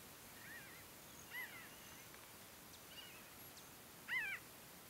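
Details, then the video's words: A Pinyon Jay flock foraging and flying at Great Sand Dunes, San Luis Valley, Colorado, gives three or four scattered nasal, arched calls, faint at first and loudest near the end, over a quiet outdoor hiss. "Pinyon Jay flock calls"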